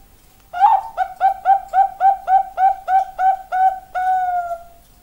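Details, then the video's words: Zebra dove of the Bangkok type singing in the style called rhoma: a rapid series of about eleven short, clear, low cooing notes at an even pace, ending in one longer drawn-out coo, in a quiet setting. "perkutut bangkok suara rhoma"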